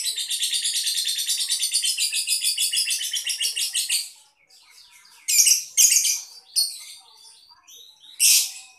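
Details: Lovebird, a kept show bird from Boyolali, Indonesia, prized for long trilling song; a dense, high, fast chattering trill for about four seconds, then a pause followed by short scattered bursts of harsh squeaky notes.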